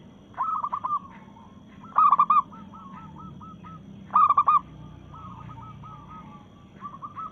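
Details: Local-strain zebra dove in breeding mood, singing against rivals: loud stuttering coo phrases every two seconds or so, each trailing into a gentle series of softer coos, with faint coos from other birds.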